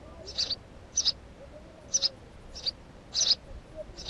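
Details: House sparrow giving short, sharp high chirps, often doubled, repeated at irregular intervals of about half a second to a second over a quiet background.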